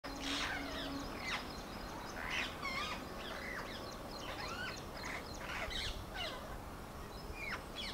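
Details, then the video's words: Rose-ringed Parakeets at a hollow nest give harsh, screeching squawks and chattering notes at an irregular pace, with other birds chirping over steady background noise. "Rose-ring Parakeet"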